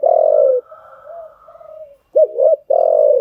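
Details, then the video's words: Cooing of a spotted dove used as a training call for newly trapped birds: one loud sustained coo, quieter soft trailing notes, then a quick two-part coo and another strong, level coo. "tiếng chim gáy dùng tập chim bổi mới hiệu quả"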